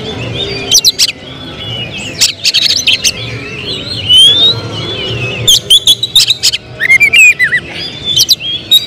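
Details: Kacer, the oriental magpie-robin, a bird being shaped for song contests. It delivers quick trains of sharp clicks and short rising whistles, with a slurred, bubbling phrase near the end, against steady low background noise.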